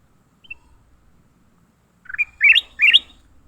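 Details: Leafbird in a fight after capture: a faint high note, a pause, then three harsh upward-slurred chirps growing louder in a quick run.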